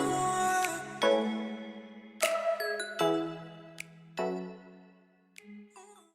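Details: Chiming, bell-like music with sustained tones and sharp struck notes, with no animal sound.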